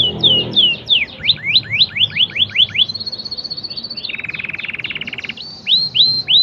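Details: Canary singing in the standard cengkok style: a run of quick downward-sweeping whistles, then a level whistled note leading into a fast buzzy rattle, ending with more descending slurred whistles.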